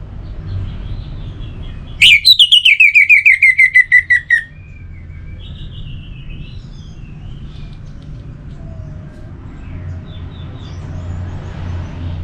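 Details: Orange-headed thrush singing one long phrase of rapid whistled notes, starting high and sliding steadily lower for about two seconds, followed by near quiet with faint distant chirps and a low rumble.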